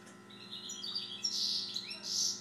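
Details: Siberian goldfinch singing a loud, continuous stream of high, buzzy, chattering twitters that swell toward the end, over a faint background hum.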